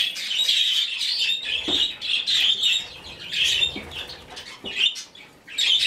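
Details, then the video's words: Hand-fed rescued budgerigar chick begging with bursts of harsh, buzzy chirping that swell and pause about every second, with faint knocks of feeding in between. "Выкармливание птенца волнистика"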